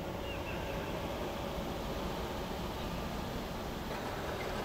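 Steady broadband rumble like an engine or moving water fills the recording, with no clear animal calls.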